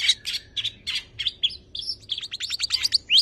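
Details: Long-tailed shrike, a tame caged songbird kept to prompt other birds to sing, delivering a rich mimicking medley: quick chirps and scratchy notes, then a fast run of sharp rising whistled notes ending in a loud upward sweep.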